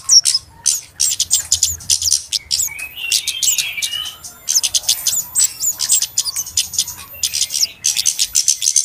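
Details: Noisy flowerpecker calls used as a trapping lure: bursts of rapid high ticks, a brief twittering of lower thin notes near the middle, and more chipping runs after short gaps.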